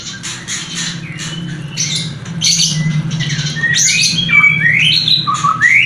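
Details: Shama mating sound to stimulate a new breeding pair not yet producing; scratchy, clicking notes build into bright rising whistles and sweeping slurs, over a low background hum.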